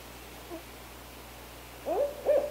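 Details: Wild barred owl in Canada, an adult female with her young, giving two short wavering hooted notes close together near the end, after quiet background hiss with a faint earlier sound.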